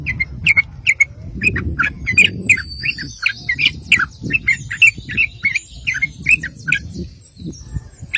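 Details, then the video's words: Lure recording of a sooty-headed bulbul in gacor ngeropel song meant to draw replies from other bulbuls: steady run of short, sharp, clear chirps repeated roughly every third of a second over a low background hum. "PANCINGAN TRUCUK GACOR NGEROPEL"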